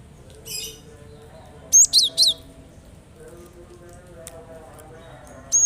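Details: High, sharp notes of a cinereous tit, played to get reluctant birds singing: a quick burst of three clipped whistles, then isolated single chirps later, with faint low humming behind.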